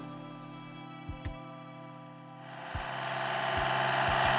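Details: Steady low humming tones, a few sharp clicks and thumps, then broad rushing noise that grows louder toward the end, with no animal voice heard.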